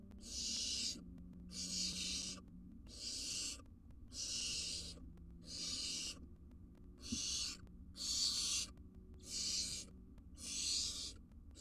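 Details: Wild barn owls in a monitored nest box as the male brings a massive jird to his family. Harsh, breathy hissing screeches in about nine one-second bursts, roughly every 1.2 seconds, over a low steady hum.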